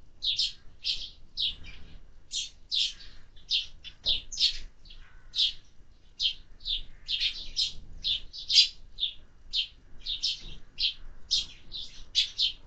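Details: A lively run of high, clipped sparrow chirps, tightly spaced and irregular, continuing for over twelve seconds with little other sound.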